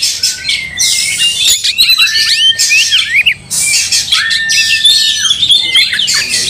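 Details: Angry white-rumped shama fighting with tail spread: bursts of high chattering and sweeping whistles separated by a long flat whistled note, repeated twice, with a quiet gap near three and a half seconds.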